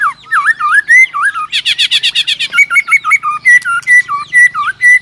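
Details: White-rumped shama in fight-singing, clicking and flicking its tail; loud fluty whistled notes looping up and down, broken by a burst of rapid buzzy harsh notes, over a faint low hum.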